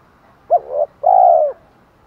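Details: Spotted dove call in the 'thổ pha thúc đấu' style, made to lure wild birds: a brief hooked coo, a soft pause, then one sustained low mellow coo. The background is quiet.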